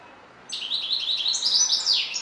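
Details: Lively European goldfinch song that starts abruptly with a rapid, rolling twitter of high, sweet notes and buzzy trills, continuing without a pause.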